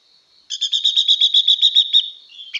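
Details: Female blue-winged leafbird singing to excite a male: a rapid run of about a dozen buzzy, evenly spaced notes on one high pitch over one and a half seconds, fading into a softer trailing note.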